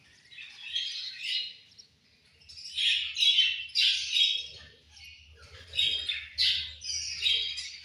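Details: Angry budgerigars chirping at lunch time: bursts of rapid, scratchy high warbles and chatter, rising and falling in waves roughly every second, over a faint low hum.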